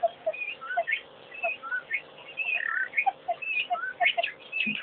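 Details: An African pied wagtail at a waterhole, Pete's Pond, gives a lively run of clear, varied whistled notes and short chirps, several each second, some rising and some falling.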